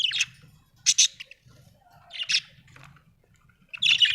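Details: Happy budgerigar chirping: short bursts of bright, scratchy chirps and squawks repeated at irregular intervals, with a faint low hum underneath.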